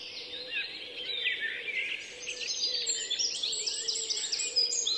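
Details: Baby European robin calling for its mother while waiting for food: a dense, continuous stream of high, thin, overlapping begging chirps and squeaks over a faint low steady hum.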